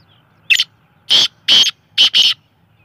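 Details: Young black francolin chick calling loudly: five piercing high peeps in about two seconds, the last two run close together as a double note, with a faint low hum beneath.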